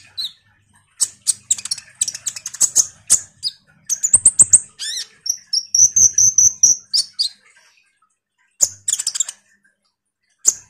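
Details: Common iora singing busily as a lure call to provoke kolibri ninja birds: dense high chips, a fast rattling trill, then a run of rising, buzzy whistled notes, fading to scattered chips.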